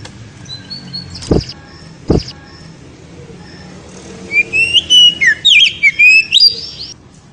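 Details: Oriental magpie-robin ngeriwik song, said to excite the female: two sharp knocks, then a burst of high whistled notes with quick upward and downward slurs lasting about two seconds.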